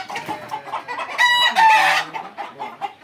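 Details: Fayoumi chickens at a farm in Jamalpur, Bangladesh, with a steady background of clucking and a brief louder squawking crow in the middle.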